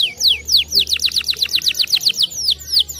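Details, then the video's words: Canary song for stimulating other canaries: a quick run of bright descending whistled notes, speeding into a tight trill and slowing again into separate downward slurs. "Good for stimulating the sound of the canary chirping"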